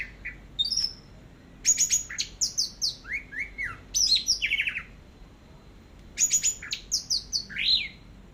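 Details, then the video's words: Loud teler song of the orange-headed thrush, known locally as anis merah, from a long tutor recording: rapid bursts of sharp high chirps and descending slurred notes in tight sequences, with short gaps between phrases. "BURUNG ANIS MERAH TELER"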